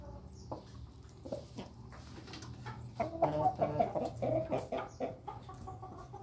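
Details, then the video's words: Afternoon crowing by a laughing rooster together with a Pelung and a Bangkok rooster: a stuttering series of short pulsed notes rising and falling over about two seconds, somewhat distant, with soft background noise. "Ayam jago ketawa drngan ayam jago pelung bangkok sore hari"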